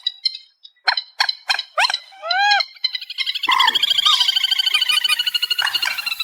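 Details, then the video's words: Reed warbler in an amplified recording, opening with a few separated sharp clicks and downward-curving slurred notes, then breaking into a fast, grating, chattering stream of repeated scratchy syllables that runs to the end. "Tiếng Chim Trích Ré 2024 Bản Tăng Âm"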